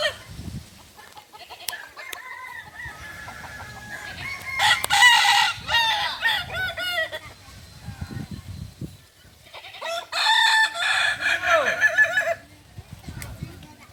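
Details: Native Kokok Balenggek roosters from Solok, West Sumatra, crowing at a practice contest: two long bursts of layered, stuttering crows with rising and falling stepped syllables, separated by quieter stretches with faint clucks and background noise.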